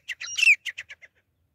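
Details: Single phrase of a female grey francolin call played to lure birds for hunting: a strained squawk with a whistled overtone and a falling end, then four quick clipped notes fading away.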